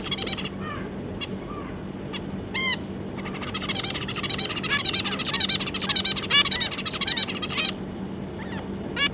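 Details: Zebra finch family of two adults and three juveniles, 25 July 2022: scattered ticks and one nasal call early on, then a dense run of squeaky, twittering chatter for several seconds, over a constant low hum.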